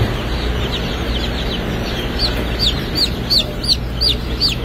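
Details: Silver Laced Wyandotte chicks newly hatching at a hatchery in Lebanon, Missouri: clear high peeps, each rising then falling, repeated about every third of a second, with fainter overlapping peeps and a constant low machine hum.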